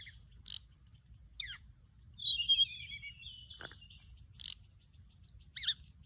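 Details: Mugimaki Flycatcher song played as a lure: isolated high chips, a descending twittering phrase, pauses, then a bright upslurred whistle and a short clicky note near the end.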